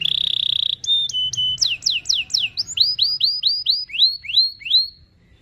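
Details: Canary in vigorous full song, a long rolling phrase meant as a lure for a young canary learning to sing: a steady whistled note, then rapid downslurred sweeps and rising buzzy notes repeated about three per second.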